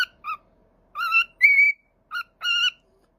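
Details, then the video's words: Pet parrot producing five short, rich whistled notes with strong overtones, some steady and one drawn out and slightly rising, separated by brief pauses in a quiet room. "Parrot Talking"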